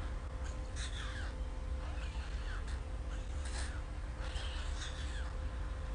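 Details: White stork nestlings at Ustroń, Poland, in May 2019, hungry and left with one parent after the mother disappeared that morning in poor weather. Thin, descending whining calls come in short bursts over a constant deep roaring background noise.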